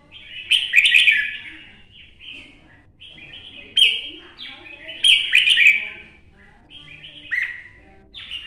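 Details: Old wild-caught red-whiskered bulbul from Quảng Nam, Vietnam, repeats loud chattering, warbling phrases about every one to two seconds, with quick slurred notes and brief gaps between bursts.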